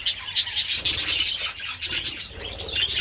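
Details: Several budgerigars enjoying treats in the sun on 27 February, giving a busy stream of high, scratchy chirps and warbles that overlap almost without pause, with a faint low rumble underneath.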